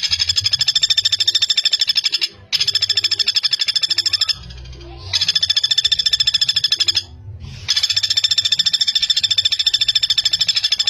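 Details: Common flameback used as training material for young songbirds such as magpie robins and shamas: long bursts of fast, high, rattling notes, cut by short gaps of near silence.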